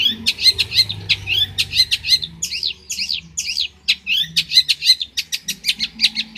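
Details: Champion long-tailed shrike from Banyuwangi, a tutor song for other shrikes: continuous chatter of quick, buzzy, rising notes mixed with sharp clicks, delivered in fast, uneven groups.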